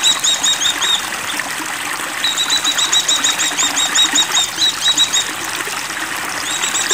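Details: A breeding-condition Oriental white-eye delivers long, fast runs of sharp, high twittering notes, one phrase stretching over several seconds, with running water trickling throughout.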